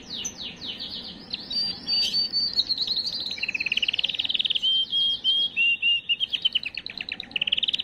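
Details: Canary singing to stimulate females: streams of quick descending slurred notes, a buzzy rolling trill, level whistles, and fast repeated chips in an unbroken high-pitched song.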